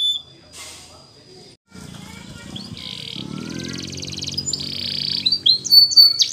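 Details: Canary training song heard faintly under a steady low hum: brief high whistles, two buzzy trilled bursts, then sharper chirps near the end.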